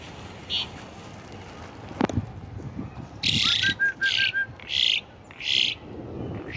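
Asian pied starling giving harsh, raspy bursts of chatter about once a second, with a brief run of six quick, clear whistled notes; a sharp click comes first.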